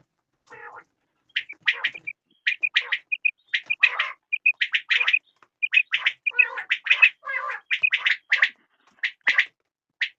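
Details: Quail sounds: a steady series of short whistled pips mixed with rougher, clustered chirps, about ninety-five bursts a minute in an uneven rhythm, and no background noise.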